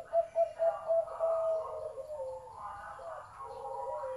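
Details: Zebra dove with a big, deep voice singing: a quick run of short, bright cooing notes at about four per second, then longer, rolling, warbled coos. Faint chirps from other birds sit behind it.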